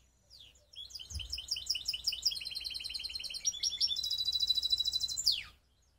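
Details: Mixed canary hybrid from Skopje, North Macedonia, in full song: rapid high trills of repeated chirped notes, shifting into a sustained buzzy rolling run and ending in a sharp falling whistle. A faint low thump near the start.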